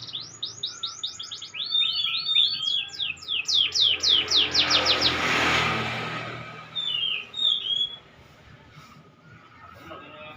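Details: Canary learning the ngeplong song style: bursts of rapid, evenly spaced high chirps and sweeping trills, about four per second, a broad rushing noise swelling midway, then a few thin whistled notes before fading.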